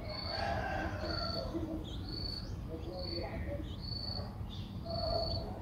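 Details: A six-day-old Streak-eared Bulbul nestling in Ubon Ratchathani, Thailand, on 8 April 2023 gives thin, high, steady begging notes, each about half a second long and repeated roughly once a second, over a low rumbling background.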